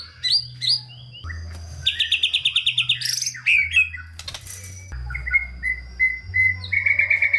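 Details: White-rumped shama with a varied song meant to provoke reluctant shamas: rapid buzzy trilled series, harsh bursts, then a run of short clear whistles repeated quickly, over low hum.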